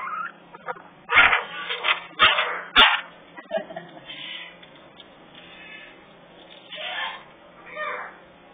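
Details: Three African grey parrot babies in a rescue aviary utter loud, rasping squawks in a quick cluster, then softer scattered calls trailing off over several seconds.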